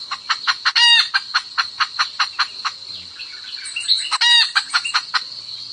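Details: Hen calling the rooster: a rapid run of short, sharp clucks, roughly two or three per second, broken by two louder, drawn-out harsh squawks; a steady high insect whine runs underneath throughout.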